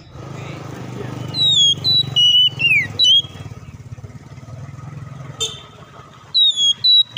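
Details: Oriental magpie-robin singing persistently as a lure to get other birds singing quickly: bursts of sharp, slurred whistles and descending notes, then a pause and a renewed burst, over steady low engine-like hum.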